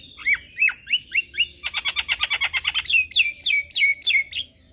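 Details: Javan myna in vigorous, richly varied song used as tutor and lure material for mynas: a few sharp whistled notes sliding down, then a fast even run of buzzy clicks, then repeated bright falling whistles.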